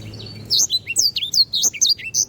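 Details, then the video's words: Canary in lively song, used as training material for other birds: a quick run of bright sweeping whistles and chirps after a short quiet start, over a low steady hum. "sanger gacor. masteran burung"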